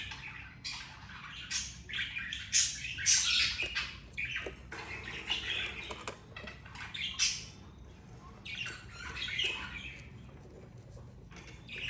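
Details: Two budgerigar parents and their two babies; fast, irregular string of harsh squawks and chirps, close to two a second, with several loud screechy peaks and a faint room hum.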